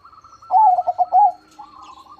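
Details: Big-voiced 'crossing' perkutut, a zebra dove, giving one loud song phrase: a burst of rapid pulsed coos running into a smooth rolling tail, with a softer, higher dove phrase following.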